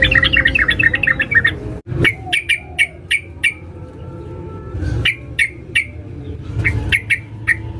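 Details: Sooty-headed bulbul female calling for a male: a quick chattering burst, then spaced single sharp notes about every half second, with a brief dull knock and low background hum.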